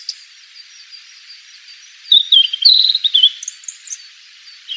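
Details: Fork-tailed sunbird, natural sound: a rapid, thin twittering trill of high notes lasting about a second, above a faint high hiss.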